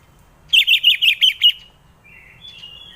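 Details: Lure recording of an orange-headed thrush: a quick string of six bright, bouncing whistled notes in about one second, followed by two thin, drawn-out quieter whistles.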